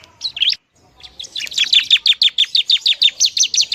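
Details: Noisy bar-winged prinia (ciblek) song meant to rile up other prinias: a short slurred note, a gap, then a fast, even series of high, sharp chip notes, about three per second.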